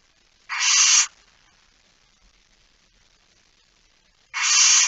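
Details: Barn owl recorded in a nest box on the night of 13 September 2019: two harsh, noisy hisses about half a second long, separated by more than three seconds of near silence.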